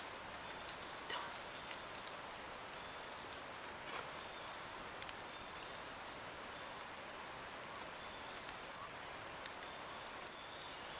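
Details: Pygmy cupwing (pygmy wren-babbler) in moist forest at Eaglenest Wildlife Sanctuary, Himalayas, giving a very high, thin, downward-slurred whistled note repeated about every one and a half seconds, over soft forest background noise.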